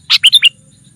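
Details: A single quick phrase from a sooty-headed bulbul lure recording for calling wild rivals: four rapid, bright notes, the first harsher and the rest clear and slightly downslurred.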